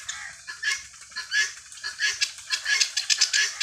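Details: Helmeted guineafowl ranging freely while foraging for food make rough, squawking calls. The notes are uneven and come in irregular bursts, at times overlapping, with faint low rumbling behind them.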